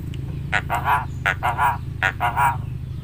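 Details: Talking Javan myna mimicking human words, repeating a phrase several times: three paired, speech-like syllables, each pair with a hoarse onset and a voiced second part, over a steady low hum.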